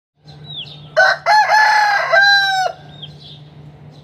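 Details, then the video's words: Chicken in the morning during a fight: a loud, harsh rooster crow lasting about two seconds with rich harmonics, preceded and followed by faint high chirps from small birds, over a steady low hum. "Morning time fight and sound of the chicken"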